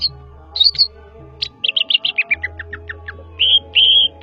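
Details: Greater green leafbird (cucak ijo) from Java, Banyuwangi, singing in the ngetrok style. Quick high whistled notes and short sweeps run in a rapid descending series, then two longer buzzy whistles, over a steady low hum.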